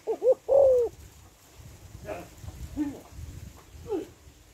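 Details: Female spotted dove calling to arouse males gives one three-part coo phrase, two short notes and a longer falling one. Softer rustling and faint other sounds follow afterward.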